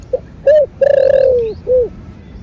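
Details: Spotted dove, thổ bầu voice. A single close phrase: a short low note, a rounded coo, a long slowly descending drawn coo, then a final rounded coo.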